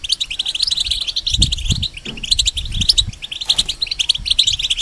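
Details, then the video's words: Moulting caged European goldfinch used as a song tutor for young hybrid birds: an unbroken stream of quick, jangling chirps and buzzy trills, with low bumps and rustles in the background. "The Talk And Sounds Of The Goldfinch"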